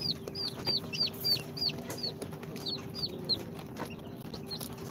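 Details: Day-two chicks from an incubator, Sultan, Golden Sebright, Cochin and booted breeds, with clear, evenly spaced high peeps, each sharply falling in pitch, about three per second, and a low background hum.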